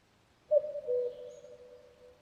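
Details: A single falling cu-coo from a common cuckoo, clear high first note then lower second note, followed by a long fading echo.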